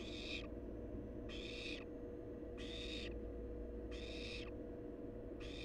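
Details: Wild barn owl chick at its nest: five regular rasping hisses, each roughly half a second, repeated about every 1.3 seconds over a constant low hum.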